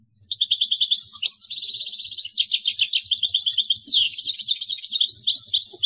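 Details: Kadouss-style song of a caged European goldfinch from Algeria, one unbroken stream of high, rapid twitters, trills and sweeping whistled notes running for over five seconds, with faint low background thumps.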